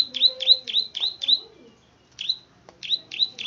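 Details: Plain prinia, the klik-klik bird of rice fields, in full song: a quick run of five bright, upward-flicking click notes, a pause of nearly a second, then another run of similar ticking notes.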